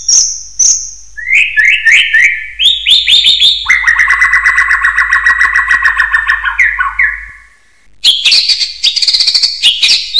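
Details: Common hill myna whistling for use in training other birds: a high sustained note, then stepped trilled whistles descending into a long rolling warble, a silence, and a burst of high chattering whistles.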